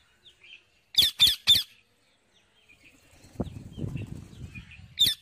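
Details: Wild parrot feeding on seeds lets out three quick, harsh squawks, followed by rustling and scraping, with one last squawk at the close.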